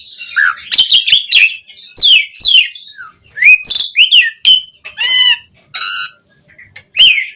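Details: Asian pied starling in full varied song, recorded as a master track for training captive starlings: a rapid jumble of whistled, slurred and buzzy notes, with sharp harsh bursts and rising and falling whistles, broken by short pauses.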